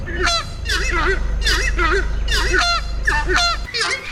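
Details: Horned screamer giving loud, harsh, goose-like honks in quick repeated bursts, roughly one per second, over a steady low rumble; a strident alarm call that alerts others and intimidates threats.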